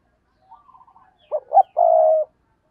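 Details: Decoy spotted dove calling to attract wild doves: a soft stuttering run of quiet notes leads into two sharp, low coos and a long, steady, hoarse final coo.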